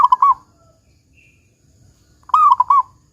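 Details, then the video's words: Local perkutut, or zebra dove, a keen singer with a big 'kung' voice used to prompt other doves to sing: the tail of one phrase of soft coos, then a full phrase, a gliding note and quick rolling coos. "Perkutut Lokal GACOR Suara Kung Besar Pancingan Burung Perkutut Agar Bunyi"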